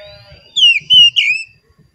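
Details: Oriental magpie-robin song used to coax caged birds into singing: three clear whistled phrases, gently falling then rising, with a faint steady high tone and soft low thumps behind.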